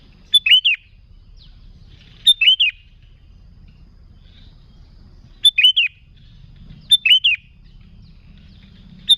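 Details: Sooty-headed bulbul singing to lure others of its kind: repeated short bursts of two or three bright notes, several closely paired, separated by pauses of one to three seconds.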